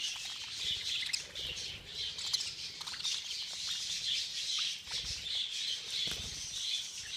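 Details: Many budgerigars in a feeding frenzy produce a dense, continuous chorus of high chirps, squawks and warbles, overlapping without pause, with soft fluttering in the background.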